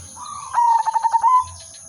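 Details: Zebra dove of the silver udanmas variety, a trapping-lure song: a soft low lead-in coo followed by a rapid burst of about six pulsed beats that fuses into a wavering sustained note.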